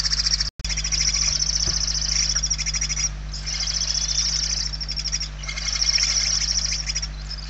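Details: Inside a barn owl nest in Spain, 28 November 2023, chicks beg from hunger: an almost unbroken, pulsing, snoring hiss swelling and fading across several seconds, with one sharp dropout early on and a steady low hum.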